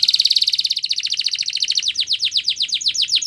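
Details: Powerful training song from a Spanish Timbrado canary: a loud fast ringing trill slowing into a series of rhythmic, swooping repeated notes.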